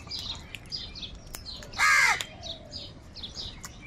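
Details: One loud, harsh, drawn-out crow caw lasts about half a second in the middle, among many high, thin chirps from small birds in a large gathering of crows.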